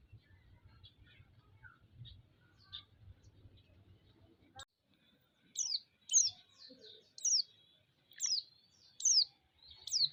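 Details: White-eye lure to provoke other white-eyes: quiet, scattered faint ticks for several seconds, then six loud, high, downward-sweeping chirps roughly once a second to the end.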